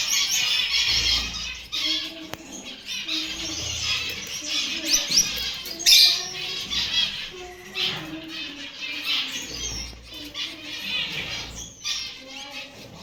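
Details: A kept Gouldian finch chatters in high, thin twittering bursts with short squeaky chirps and brief pauses, the notes coming irregularly over thirteen seconds against soft low background hum.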